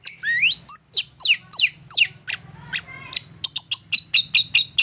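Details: Insistent provoking song from a long-tailed shrike, meant to get other shrikes replying: downslurred whistled notes, a low buzzy rattle, then a quick even series of sharp high chips.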